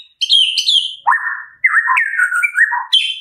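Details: White-rumped shama singing in the morning: a rich, varied phrase of high sweet whistles dropping to lower fluty warbled notes, then rising again, loud and clear with no other sounds; used as a lure to make shamas sing.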